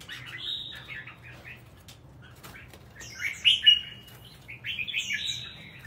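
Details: Red-whiskered bulbul kept as a songbird, singing short bursts of bright, warbled phrases: faint chatter early on, then louder, sharper notes with a brief whistled slur from about halfway through; quiet background with occasional clicks.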